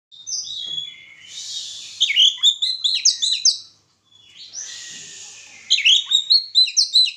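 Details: Oriental magpie-robin singing during a pairing of birds for mating: rich song of sharp high whistles and rapid chattering notes in two long bursts, each opening with a harsh buzzy rasp, then about six quick loud notes per second.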